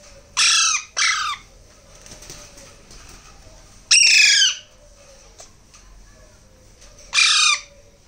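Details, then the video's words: Alexandrine parakeet chicks being hand-fed: loud, harsh, hoarse rasping squawks with downward-sweeping harmonics, a quick pair near the start followed by single calls at about four and seven seconds, with quiet background hiss between. "Hand feeding Alexandrine baby parrots"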